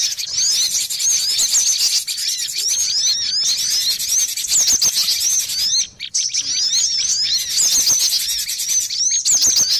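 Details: Busy chatter of cinereous tits on a lure recording: steady stream of high, quick chirps and curled twittering notes from several birds, nearly unbroken apart from a short gap.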